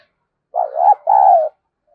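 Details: Spotted dove cooing as a lure, the gọi mồi and thúc bổi style: a low two-part coo, a wavering first phrase, a short break, then a steady drawn-out second note, on a clean, quiet background.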